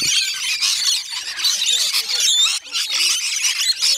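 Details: Feeding rainbow lorikeets at Magnetic Island's Bungalow Bay Koala Village in Queensland fill the air with a steady, shrill screeching chorus from many birds, while people talk quietly beneath it.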